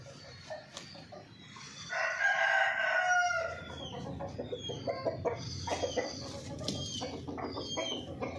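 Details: Chicken giving one loud, harsh, drawn-out crow-like call lasting just over a second, with strong layered tones, amid many small high chirps from other birds and soft background rustling.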